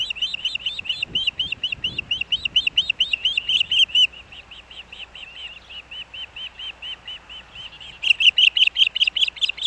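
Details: Osprey at the Hellgate Canyon nest in Missoula, Montana, in August, as the male brings a fish for breakfast: rapid series of high, whistled chirps, repeated steadily, fading in the middle then swelling loud again at the end.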